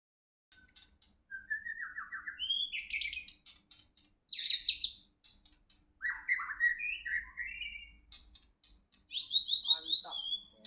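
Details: White-rumped shama of the Medan type from Indonesia singing. Varied phrases of clear whistles, slurred notes and high buzzy bursts come in separate bouts with short pauses between them, against a quiet background.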